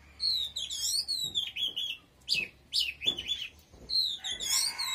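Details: Oriental magpie-robin singing loudly: clear whistled phrases that slide and waver, some notes rising then falling, given in short bursts separated by brief pauses, with quieter sharp chirps between phrases.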